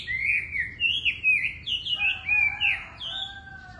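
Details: Wambi bird giving a sweet, lively warbled song of gliding high whistles, with a lower, steadier tone joining halfway through, against a low background hum.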